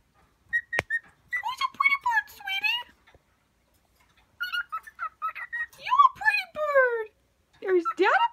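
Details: Caged pet cockatiel singing to a newly introduced cage mate on its first day home from the vet: bursts of warbling, harmonic whistled phrases that rise and fall, separated by short pauses, ending in steep upward-sweeping notes, in a quiet indoor room.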